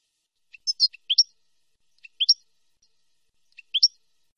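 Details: Clean European goldfinch song with nahrat and taqasim, recorded for teaching young birds: three short groups of high chirps, each ending in a rising, sharp note, repeated roughly every one and a half seconds.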